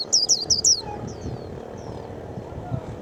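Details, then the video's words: Japanese white-eye, a young bird that sings readily, opening with three rapid high descending chirps, followed by a few faint thin whistled notes. Steady low background hum throughout. "Khuyên bánh tẻ mau mỏ"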